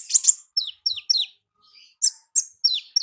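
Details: Wild olive-backed sunbird singing ngalas: sharp high chirps alternating with thin notes that slide steeply downward, repeated in short spaced groups.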